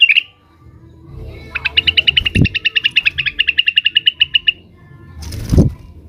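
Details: Blue-winged leafbird (cucak wilis), agitated and calling out to rivals: a fast, even trill of bright repeated chips lasting about three seconds, with a sharp high note at the start and two dull low thumps.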